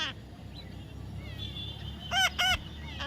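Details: Baby parrot uttering two loud, harsh, rich squawks in quick succession near the end, preceded by faint thin whistles and steady background noise.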